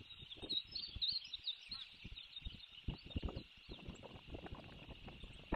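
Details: Osprey at its nest in Savannah, filmed by a nest camera on 1 June 2023: a rapid series of thin, high chirps, wavering and repeated, sits over heavy low knocks and thumps from the nest.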